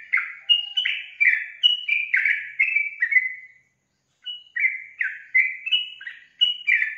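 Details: Yellow-vented bulbul song: bubbly, liquid whistled phrases of short falling and rising notes in quick runs, a brief pause, then another chattering burst.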